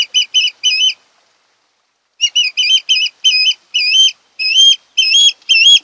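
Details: An osprey at a nest on Kent Island, Maryland, one of a mated pair filmed on 26 August 2018 between about 4 and 5 a.m., gives a series of shrill, whistled chirps, about a dozen short notes in two bursts, the later ones longer and slightly rising.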